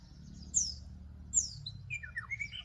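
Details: White-rumped shama fighting another at a trap in Northwest Vietnam. Two sharp, high, downslurred whistles about a second apart, then a softer run of lower warbled notes and a level whistle, over a faint low hum.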